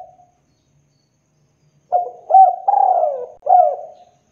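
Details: A persistently calling male spotted dove, used to lure other doves to answer, gives one soft phrase of four low coos with a drawn-out descending third note, after nearly two seconds of silence.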